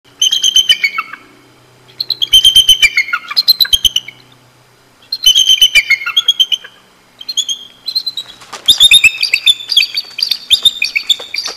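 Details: Bald eagles at the Decorah North nest, calling during copulation in February: bursts of high, rapid, piping chirps and squealing trills, several seconds apart, with a louder overlapping burst of squeaky chatter near the end.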